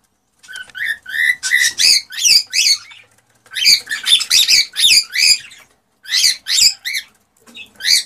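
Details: Excited male cockatiel courtship song aimed at prompting a female to breed: fast runs of bright, sharply rising whistled chirps with strong overtones, delivered in three energetic bouts.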